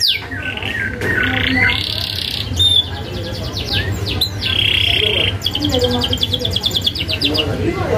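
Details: Canary song for training young birds: harsh buzzy bars and a few thin whistles, then a fast, evenly pulsed rattling roll in the last part, with a low background hum.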